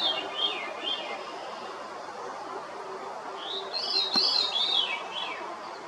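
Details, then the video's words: A Veery, rarely seen while singing, gives two fluty, reedy phrases spiralling downward in pitch, a few seconds apart, over a steady soft background hiss, shared on Canada Day. "Grive fauve, chant / Veery, song"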